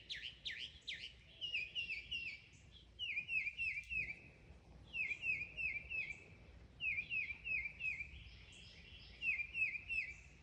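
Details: Mockingbird mimicking other sounds: a few swooping whistles, then bouts of rapid repeated chattering phrases, each bout pausing briefly before the next, with steady low background noise.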